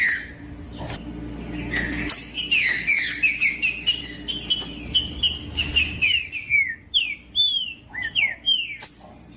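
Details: Green-winged saltator, a female's call meant to stir a cold male into singing, with a singing bird too: rapid run of slurred, descending whistled notes, many short sharp chips and clicks, steady low hum beneath.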